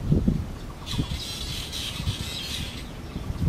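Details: Hungry bird chicks at a park in Taiwan give a high, hissy begging chorus for about two seconds, over low thumps and rumbling handling noise.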